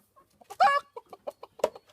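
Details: Chickens, unimpressed by a man's imitated danger call, cluck in short, soft bursts about every quarter second, with one louder, harsher squawk near the start; a man's voice may be faintly mixed in.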